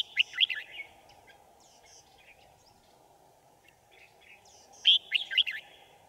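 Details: Red-whiskered bulbul luring wild birds to a trap, 5 January 2018: a loud quick run of looping whistled notes, a long stretch of faint chirps, then another bright, bubbly phrase.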